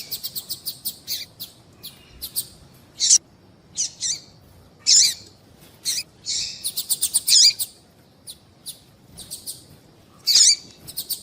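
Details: Female double-collared seedeater calling to prompt males into song, a series of quick high chips alternating with louder burry notes and brief pauses, nothing else clearly heard.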